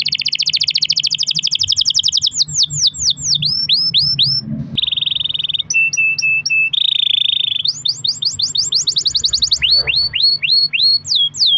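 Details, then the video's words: Caged canary in full song, played to trigger other canaries: long buzzy rolls, then rapid falling whistled notes, short high pips and a pure steady tone, all delivered without pause over a faint low hum. "kenari gacor ROL PANJANG buat pancingan kenari agar bunyi"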